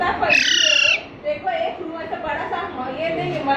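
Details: Intermittent squeaking of a parrot chick taken home in Panvel, March 2019: one long, piercing, slightly pulsing squeak, then human conversation.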